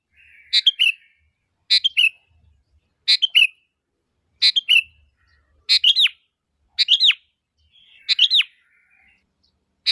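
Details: Sooty-headed bulbul, known locally as kutilang, calling so other bulbuls will reply: clear paired whistled notes, the second sliding downward, repeated at steady intervals of roughly 1.2 seconds.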